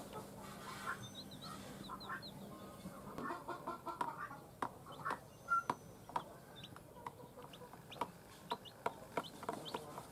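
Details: Newly hatched chicks from eggs hatched by a hen give high, thin peeps that sweep downward. After a quiet, hum-filled opening they come in scattered bursts from about four seconds on, mixed with sharp clicks and knocks.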